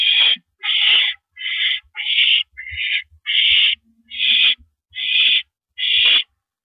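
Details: Owl perched on a porch in the evening, April 9, 2012, at 8:17 PM, uttering a run of nine rasping, breathy screeches, each about half a second long, at a slightly uneven rhythm, with soft low thumps in between.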